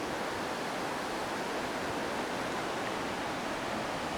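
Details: Unbroken roaring water or wind noise, even and hissing throughout, with no animal voices.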